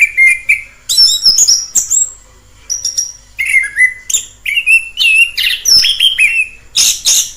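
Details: Wild orange-headed thrush delivering a rich song of slurred whistles and chattering chips, a brief quiet gap mid-phrase, then a dense burst of high notes at the end.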